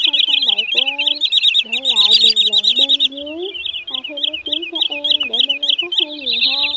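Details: Lure recording of sandpipers (choắt bụng trắng and rẽ hôi) for night-netting migrating birds in August 2023: rapid, high chipping calls several times a second over lower slurred whistles rising and falling underneath.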